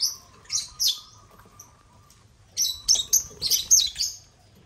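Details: Lovebirds of the genus Agapornis commandeering a millet-laden crane; sharp high chirps open the clip, a pause with a faint steady hum, then a rapid chatter of piercing squeaks.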